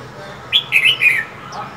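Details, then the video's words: Female than songbird calling in cold winter weather: a brief run of sharp, high chirpy notes, three quick bursts with slight falling inflection, then a faint short note, over a quiet background. "Than mái khè, rít liên tục, kích trống mở mỏ giữa mùa đông giá rét!"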